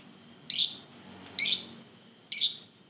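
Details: Crowd of many lovebirds kept together, sound used as a lure to make other lovebirds sing: three short, shrill, harsh chirps spaced about a second apart over quiet background.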